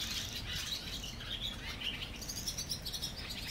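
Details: Barn swallows at a colony under a bridge in Mercer County Park, New Jersey: many overlapping high, thin twittering chirps over a steady low rumble of background noise.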